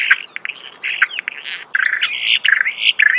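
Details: Starling heard close up: harsh squawky notes and grating chatter mixed with a few high whistled slurs, in a short busy phrase.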